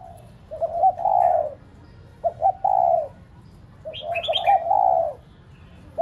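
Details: Decoy spotted dove cooing to stimulate domestic doves: clipped notes and long falling coos, with a brief high twittering from another small bird midway.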